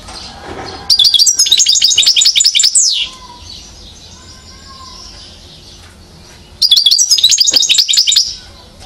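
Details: European goldfinch, one year old, Mouzaia, Algeria, 2012: a fast run of bright, clipped notes ends in a falling slur. A soft low whistle sounds in the pause before a second twittering phrase.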